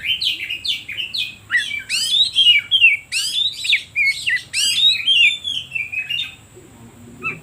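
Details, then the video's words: Oriental magpie-robin song meant to make other birds sing: a fast rhythmic series of loud, looping, sweeping whistles and warbles, repeated in quick succession, fading near the end. "Suara Pancingan Kacer Paling Ampuh"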